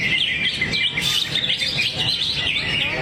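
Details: Greater green leafbird, a kept songbird, singing a dense, continuous run of high chattering and whistled notes with rapid warbling phrases, loud and unbroken throughout.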